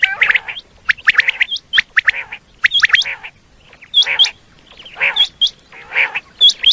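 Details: Common quail voice used as a hunting lure in Pakistan, heard as rapid sharp chirps and squawky notes in irregular bursts, mixed with thin, high, upward-hooked whistles every second or so.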